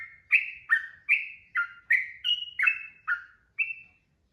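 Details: Sooty-headed bulbul singing long gacor 'ropel' phrases for training birds: nine quick whistled notes, each sliding downward, spaced about half a second apart, ending on one higher sustained whistle.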